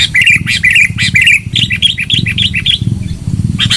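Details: Loud sooty-headed bulbul song used as a lure: chattering, bubbly whistled phrases, each note bending up and down, repeated about twice a second over a steady low rumble.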